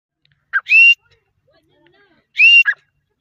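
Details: Grey francolin, called Dakhni teetar locally, giving two short harsh whistled phrases: a brief lower note followed by a longer, higher, strained whistle, then the pair reversed about two seconds later, with quiet gaps between.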